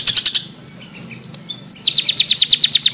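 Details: Long-tailed shrike chirping, master bird recording: a few quick chirps, then thin drawn whistles, then a fast even series of downward-slurred chirps about five per second.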